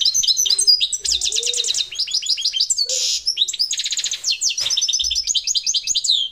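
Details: Parva goldfinch in a long, dense outpouring of rapid tinkling, trilling and chattering high notes, almost without pause, with a few low tonal notes mixed in.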